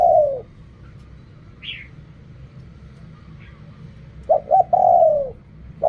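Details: Spotted dove in Thai ok rong cooing style. A falling coo ends, a pause holds faint chirps, then one full phrase of two short notes and a drawn-out coo, and a last note starts.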